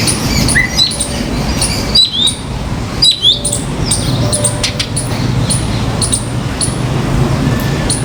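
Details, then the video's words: Common myna on a balcony giving short, scattered chirps and sharp squawky notes, a few brief rising whistles between them, over a steady low rumble of background noise. "Myna in Balcony 🐦 | Mynah bird sound"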